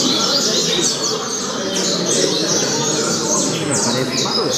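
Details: Coleiro, the double-collared seedeater, giving its Altas Horas song style: sharp descending whistles repeated roughly three times a second against a heavy steady background hiss.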